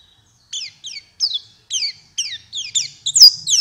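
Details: White-eye lure recording for night and morning: a series of about eight short, high, downslurred chirps spaced roughly every third of a second, growing louder and busier toward the end, in quiet surroundings.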